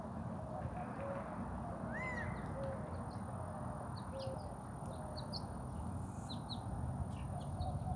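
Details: From a rooftop on May 23, 2024, a male Gambel's quail gives one clear arched, slurred note near the two-second mark, while scattered high chirps and soft low whistles of other birds sound over constant low-frequency background noise.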